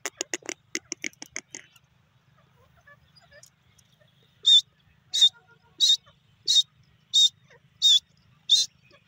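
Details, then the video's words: Grey francolin calling: a quick burst of rapid, clipped notes at first, then after a pause a loud series of harsh, high, strident notes, eight in a row at about 0.7-second intervals, with little background noise. "beautiful vioce of teeter,francolin birds"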